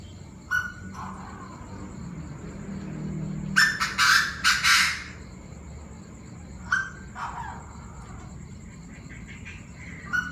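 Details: Several wild-caught Chinese francolins call in turn at 19:00 on 9/18 with harsh, loud, grating phrases of rapid bursts. The loudest come mid-clip, over a steady high insect whine and low rumble.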